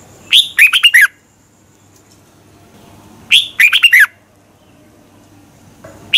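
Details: Red-whiskered bulbul morning song for training, two neat phrases of a rising note and quick descending chirps, about three seconds apart, quiet background.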